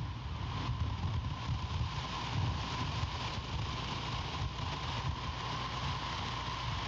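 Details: Low rumbling hum like a vehicle engine, with a steady mid tone and wind noise, and no animal voices.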